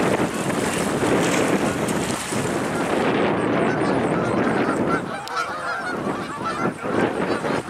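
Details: Geese calling while flying between the ocean, a ballfield where they eat grass, and a pond in the woods, late November 2022; harsh repeated honks from several birds over strong wind noise and rushing surf.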